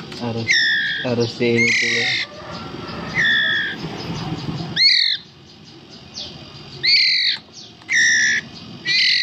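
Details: Hand-fed White-rumped shama chicks about 11 days old, likely all male, give harsh, rasping begging squawks in bursts about a second long, with a man talking quietly between them.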